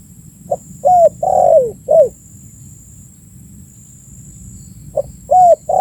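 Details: Spotted dove calls used as a lure for attracting birds: one complete phrase of soft note, arched hoot, long falling coo and clipped last note, then a pause and the start of a second phrase.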